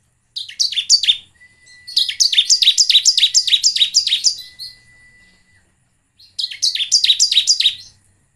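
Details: Bar-winged prinia singing, used to prompt other birds into song: three bursts of rapid, regular descending chirps separated by short pauses, with a thin steady whistle-like tone in the background.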